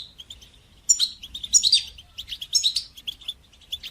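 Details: European goldfinch song in the batbata and sastasa styles, used to stimulate goldfinches and teach young birds to sing: rapid high twittering with buzzy trills and bright tinkling notes in near-continuous bursts.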